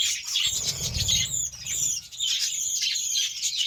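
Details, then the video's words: Budgerigars fed beetroot warble in continuous high, scratchy chatter, with a low fluttering rumble of wings near the start before the twittering carries on steadily. "BUDGIES SOUNDS"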